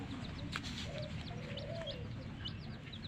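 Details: Baby chicken chicks peeping with short, high, downward-sliding chirps repeated at an uneven pace, over a steady background hum.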